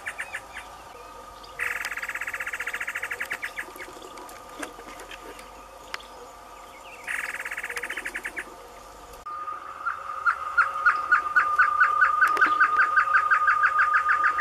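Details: Great antshrike male singing in the caatinga; bursts of harsh, rattling sound early on, then a long series of quick, clipped notes that speed up and grow louder, over a steady high-pitched droning tone.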